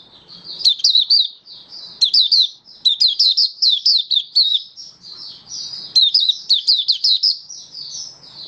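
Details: Oriental white-eye of Malaysian type, a kept song bird slightly off form, 27 February 2023, in happy buka singing: a run of bright, high twittering phrases made of rapid chirps and slurred whistles, with short quieter gaps.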